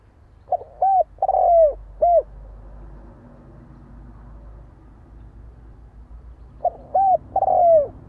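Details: Spotted dove cooing in two phrases several seconds apart, each with a short note, clear coo, long rough downward coo and final coo, over a steady low rumble.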